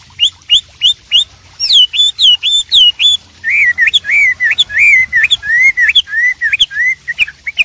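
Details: Wild Horsfield's babbler singing, a recording used to tutor songbirds: loud clear whistled notes repeated rapidly, first short rising upslurs, then longer falling and hooked whistles in quick series, with a faint low background hum.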